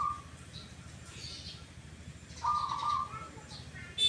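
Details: Zebra dove (perkutut) of the "kuk, kuk" singing style: a clipped coo at the start, then one clear half-second burry coo, with soft high chirps of other birds and a low background hum.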